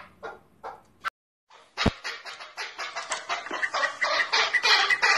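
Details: Male chukar partridge in Tajikistan, recorded in 2020: after a few soft notes and a sharp click, a rapid series of harsh chuk notes builds and grows louder, about three per second.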